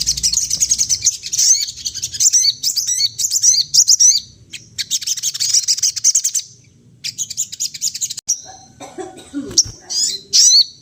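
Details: Sunda laughingthrush singing to lure other birds, in long bouts of fast, high chattering and twittering separated by short gaps. Near the end come thin whistles and a few lower, harsher sounds.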